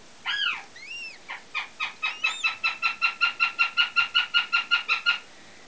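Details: First-year female goshawk, German x Finnish cross hatched 2009: a few drawn-out descending whining squeals, then a steady fast run of about twenty harsh chipping notes, roughly three per second, with a brief high squeal overlapping.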